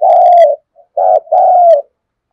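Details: Captive decoy spotted dove cooing to attract wild doves. A long mellow coo, then a short note and a longer falling coo, all loud and close.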